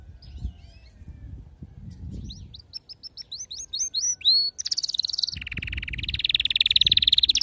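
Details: Domestic canary singing: fast trills of sharp rising whistled notes, a stretch of repeated upswept syllables, then a dense buzzy rolling trill held steady to the end, with faint low background rumble.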